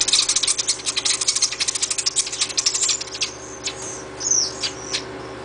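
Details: Nestling chimney swifts being hand-fed in rehabilitation, giving a rapid buzzy high-pitched chattering of pulses for about three seconds, then scattered sharp chirps, over a steady low mechanical hum.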